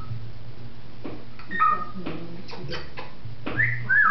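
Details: Indoor African grey parrot, December 2007, imitating human speech, burps, sneezes and ringing phones: clipped speech-like sounds and clicks, then two loud upward-sweeping whistles at the end, over steady low hum.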